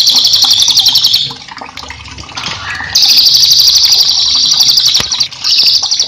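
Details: Mountain tailorbird, locally cililin, singing energetically as a master for cage birds: long, loud, very high rapid trills, each a couple of seconds, broken by short gaps with soft chirps and running water.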